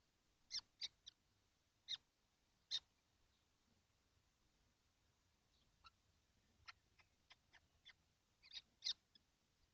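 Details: Kestrels, seven together in a nesting box on a hot day, 12 June 2025; short, sharp, high-pitched calls, a quick pair near the start, then scattered thinner notes and a closing cluster of two louder calls.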